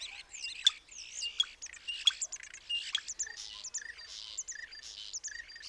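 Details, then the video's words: Common starling (Sturnus vulgaris): a busy, rambling warble of squeaky whistles, buzzy notes and rasping phrases, broken by several loud sharp clicks near the start. The chatter carries on steadily. "The call of the Common Starling"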